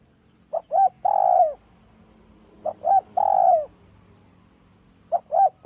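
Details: Village spotted dove used as a lure, with a smooth, clear voice: three-part cooing phrases, two short notes then a longer drawn-out coo, repeated about every two seconds, low hum in the background.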